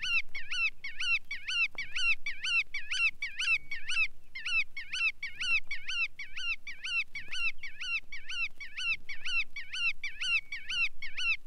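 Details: Long, fast chain of nasal, bending notes from a Bar-tailed Godwit, about two to three a second, briefly pausing once, then resuming the same even rhythm; quiet low hum beneath.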